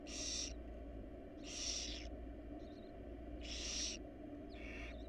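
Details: Wild barn owl family inside a research-monitored nest box, giving three loud, harsh hissing screeches about 1.5 seconds apart, each roughly half a second long, over a steady low hum.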